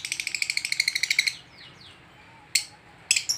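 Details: Lovebird, excited on meeting another lovebird, gives a rapid run of about fifteen piercing, evenly spaced chirps lasting just over a second, then quiet broken by two sharp squeaky bursts.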